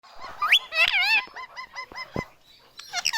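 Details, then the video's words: Tame pet Indian ringneck parrot talking, said to say "mummy papa": a rising squawk, then a run of harmonic, wavering vocal syllables, a sharp click and a few more nasal notes. "parrot talking।। मम्मी papa बोलने वाला तोता"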